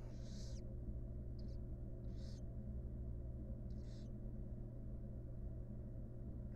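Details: Inside a wild barn owl nest box, mother grooming her chicks: a loud breathy screech opens, followed by three shorter hissing bursts at irregular gaps, then quiet hum.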